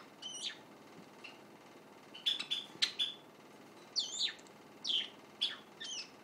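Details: Half-grown white Java sparrow chick, kept indoors and secretly recorded while practising its song: short high chirps and sweeping downward notes, clustered in bursts of two or three, with quiet pauses between.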